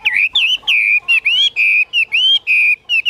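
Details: Caged Chinese hwamei, reported as 85–90% tame, repeating loud, pure, slightly wavering whistles at a steady pace, roughly one note per second, in a quiet setting.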